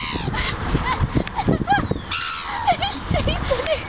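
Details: Seagull on the seafront at Cleethorpes, shouting at and chasing other seagulls with its neck pulled in; harsh, downward-bending yelping calls repeated in quick bursts over people talking and general outdoor bustle.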